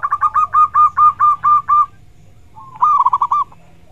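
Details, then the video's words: Zebra dove (perkutut) song used as a training sound for other birds: a staccato series of about eight soft, mid-pitched cooing notes, then after a brief pause a quick rolling burst of similar notes. "SUARA BURUNG PERKUTUT"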